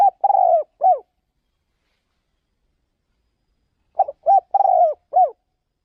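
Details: Decoy spotted dove on an outing to lure birds in another province. A cooing phrase ends at the start, then after several seconds of silence a full phrase follows: stuttered short coos, a long rolling coo and a falling closing note.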